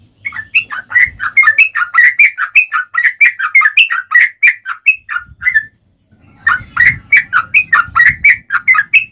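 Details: Yellow-vented bulbul (trucukan) in long, fighting-style song meant to provoke other bulbuls into singing: fast bubbling chains of liquid whistled notes, rising and dipping, in two bursts split by a short pause, with a faint low rumble behind.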